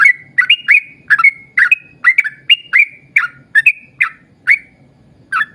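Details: Yellow-vented bulbul in lively, long rapid song, used to lure other bulbuls into singing: a fast run of short, bright whistled notes, each dropping or sliding, about two per second, with a faint low hum beneath.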